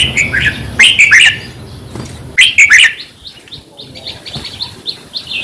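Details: Red-whiskered bulbul singing, a recording played to caged birds to make them excited: two bright chattering warbled phrases, then softer scattered chirps.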